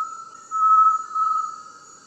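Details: An Inhambu-serra tinamou gives a single long, pure whistle held steady at one mid pitch, swelling louder in the middle before fading; nothing else is heard.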